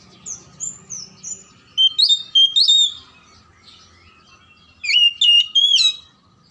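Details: Kacer (oriental magpie-robin) lure song for lazy, silent birds: soft high descending notes at first, then two loud bursts of rapid, sliding whistles and chirps.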